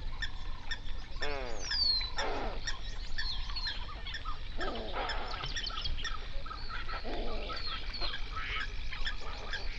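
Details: Flamingos by the hundred on a South African lake in the Overberg, where pelicans, cormorants and ducks also live. Scattered loud, harsh honks, some sweeping downward, rise above a constant gabbling chorus and low rumble.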